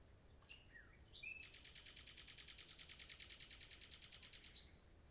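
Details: Common nightingale singing: a few brief whistles and slurred notes lead into a long, fast, even trill of buzzy high pulses lasting about three seconds before it stops abruptly.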